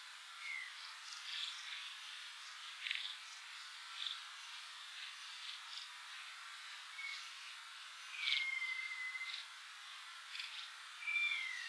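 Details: Piping plover at Montrose Beach, Chicago, on June 4, 2019, during courting, mating and nesting, gives a few soft, clear whistled notes, some level and some slightly falling, spaced irregularly over steady hiss like surf or wind.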